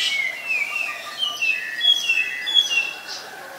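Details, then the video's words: Black-collared starling, also called Black-collared Myna, in Ubon Ratchathani, Thailand, 25 December 2019: a busy run of high whistles, squeaky slurred notes and chirps, fairly continuous and uneven in rhythm. "นกกิ้งโครงคอดำ (Black-collared Starling, Black-collared Myna)"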